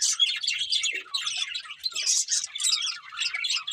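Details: Several budgerigars singing while eating: a dense, continuous warbling chatter of quick high chirps and twitters, rising and falling in bursts with only brief dips.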